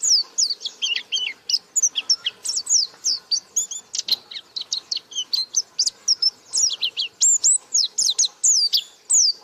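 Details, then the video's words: Non-stop, rapid-fire white-eye song described as 'gacor buka paruh', made of many high, thin chirps and looping whistled notes packed tightly together throughout. "Burung Pleci Gacor Buka Paruh"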